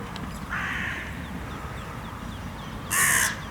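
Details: Carrion crow in a park, one of territorial pairs seen in cold weather while being fed cashew and Brazil nuts; two harsh, hoarse caws, a softer one near the start and a louder one about two seconds later, over steady outdoor background noise.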